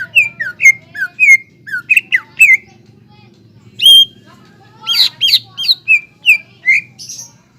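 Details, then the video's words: Greater green leafbird singing energetically, a lure meant to excite young untrained leafbirds into song: quick slurred whistles rising and falling, a pause, then a burst of sharp high notes and more falling whistles over a low background hum. "PANCINGAN CUCAK IJO GACOR INI MAMPU MENAIKAN EMOSI IJO BAHAN AGAR BUNYI GACOR"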